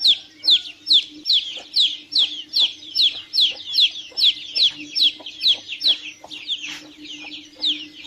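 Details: Chicks peeping: rapid, high, downslurred cheeps repeated roughly twice a second in a steady, overlapping chorus from several birds, with a faint low steady hum underneath.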